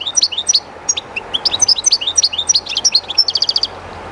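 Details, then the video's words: European goldfinch singing near the river Jerte's flowing water: an unbroken, rapid stream of bright chirping notes rising and falling, closing with a short rattling trill, over soft water rush. "JILGUERO CANTANDO EN EL RÍO/Goldfinch singing in the river/Chardonneret chantant dans la rivère"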